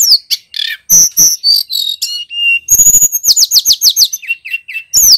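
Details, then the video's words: Male bar-winged prinia in full loud song for training captive songbirds: a rapid, varied run of high whistles, sharp repeated falling notes in fast series and short steady tones, continuous over five seconds with a clean background. "Suara burung tledekan gunung jantan GACOR DOR"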